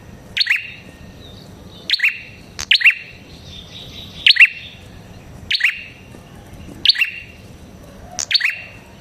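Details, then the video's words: Prinia, a red-headed type, repeating bright, forceful chips. Each note is a high click dropping into a ringing whistle-like tail, spaced about a second apart. The surroundings are otherwise quiet. "Suara Burung Prenjak Kepala Merah Gacor"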